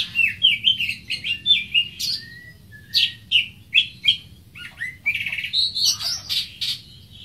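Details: Greater green leafbird delivering bright, high slurred whistles in a quick series. A few longer swooping notes follow, then a dense, buzzy, twittering passage of mixed chirps near the end.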